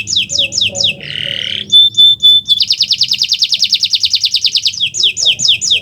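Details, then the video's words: Canary song recorded as a master to prompt silent canaries, with falling whistled notes, a harsh nasal buzz, pure sustained whistles, a long rapid buzzy trill, and closing descending sweeps. "Masteran Burung Kenari untuk Pancingan Burung Macet Bunyi"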